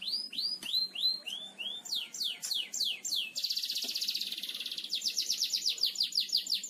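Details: Canary in full gacor ngebor song for training birds: arched rising whistles, sharp downslurs, then a long grinding trill breaking into quick repeated sweeps.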